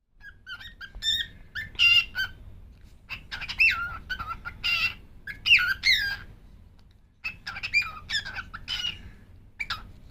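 A cockatiel chatters in bursts of high, squeaky word-like phrases mixed with whistled notes.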